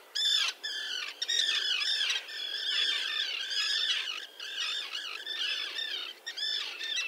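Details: Breeding common terns with chicks, a small colony 1.5 km from the Latvian shore at Liepāja, June 2024. Rapid series of harsh, downslurred kee-arr-like squawks, many birds calling over one another, with brief breaks.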